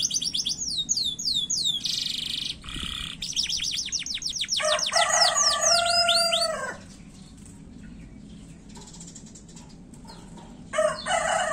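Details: Caged canary in strong singing form, short fast song used as a lure to trigger other canaries to sing: rapid trills of repeated sweeping notes, then a dense rolling phrase, fading into a quiet hum before a brief final burst.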